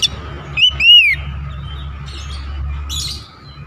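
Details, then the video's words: Oriental magpie-robin lure song meant to stir other magpie-robins: a single loud, arched whistle rising then falling, followed by faint scratchy notes over a constant low hum. "PANCINGAN KACER 100% JITU BIKIN RMOSI KACER LAIN"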